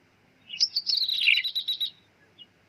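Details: Single high phrase from a Bar-winged prinia trapping lure, 'meong' type: a downward buzzy slide running into about eight rapid, evenly spaced chirps.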